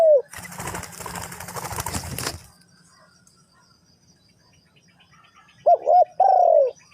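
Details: Spotted dove, Ninh Thuận, Vietnam: a burst of loud rustling and flapping fills the opening seconds, then quiet, and finally a few clear arched coos and one long falling coo.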